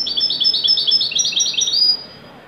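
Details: European goldfinch of the Moroccan Widani style, singing a joyful top-form phrase: a dense, tinkling chatter of quick high notes, closing with a drawn-out whistled slur before silence.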